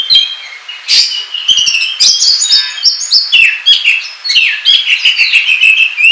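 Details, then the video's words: Oriental magpie-robin ngobra song meant as a trapping lure and as a model for training birds: dense, fast run of sharp chirps, clear whistles and scratchy buzzy notes, quickly alternating with hardly any pause. "SUARA PIKAT KACER NGOBRA TERBAIK PALING AMPUH"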